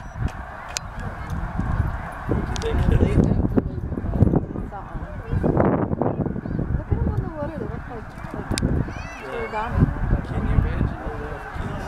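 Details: Snow geese at Middle Creek Wildlife Management Area, Pennsylvania, 2012, leaving their feeding field for the lake at nightfall. Many individual nasal honks, some rising and wavering, stand out above a thick chorus and low rumble.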